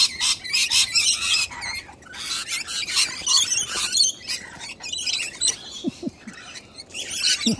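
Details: Hungry young cockatoo begging to be fed, uninterested in being filmed: harsh, raspy, broadband squawks in rapid, uneven bursts, several per second with short gaps, plus a brief human voice near the end.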